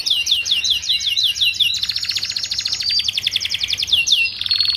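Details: Canary song used to tutor young canaries: rapid repeated swept notes, switching to a fast, dense pulsing trill that gradually drops in pitch, closing with a steady buzzy tour.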